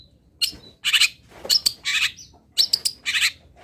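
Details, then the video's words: Long-tailed shrike of a local type singing fill-in song for training: dense scratchy bursts mixed with brief thin whistles, delivered in quick clusters with short pauses. "ISIAN WAJIB BURUNG CENDET"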